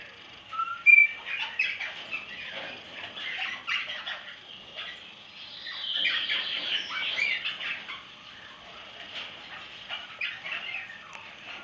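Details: Crimson rosella, recorded 2007, giving busy, high chattering and squeaky notes, with a brief clear whistle near the start; the chatter continues throughout and swells midway.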